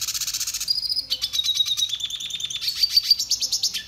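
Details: Red siskin singing continuously for song training, a fast high twitter of buzzy trills and steady whistled notes run together without a break.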